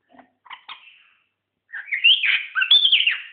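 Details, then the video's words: A seven-year-old white-eared bulbul gives a few soft, short notes, then a loud, bubbly phrase of liquid whistles that rise and fall over about two seconds. "White ear bulbul"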